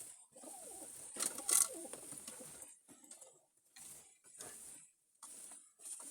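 Pigeons give soft, low cooing notes against a steady hiss and clattering background noise.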